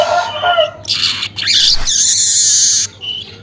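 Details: Weaver in the early morning, around 5:40 am, producing a long, continuous, sizzling buzz that is high and harsh, preceded by shorter rasping notes.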